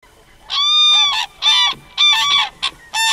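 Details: Common crane calling: loud, rolling trumpeted notes with rich harmonics, given in four bursts of about half a second each over a quiet background.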